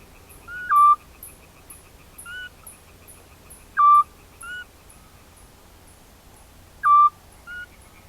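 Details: Eurasian scops owls, a pair, in spring 2016 in the countryside of Cavarzere, Venice, Italy, during mating and a failed nesting attempt: clear, short, slightly falling whistled notes about every three seconds. Each is followed by a softer higher note. Rapid high insect-like ticking continues behind.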